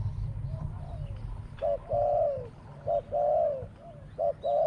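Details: Spotted dove, a bird used in decoy trapping, giving its small-voiced song of two short 'kuk' notes and a drawn-out 'ku-ang' coo. Paired short and long mid-pitched coos recur, with a low rumble underneath.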